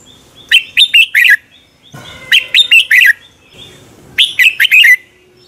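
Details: Red-whiskered bulbul lure song for dueling practice: three similar phrases, each four or five bright, bubbling notes ending on a downslurred whistle, repeated roughly every 1.8 seconds over soft background rustle.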